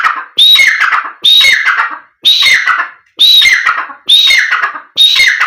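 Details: Repeated black francolin call meant to excite the bird and draw its reply: six harsh, rhythmic phrases of a whistled opening note followed by buzzy, descending grating notes, evenly spaced roughly a second apart.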